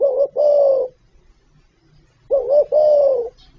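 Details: Two low spotted dove coo phrases about two seconds apart, from the full gáy gọi, thúc, gù repertoire, each a short note then a longer smooth hollow coo.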